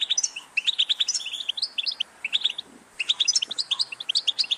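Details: Cheerful European goldfinch twitter: fast bursts of clear chirps and rolling trills, then a pause before the next jangling phrase.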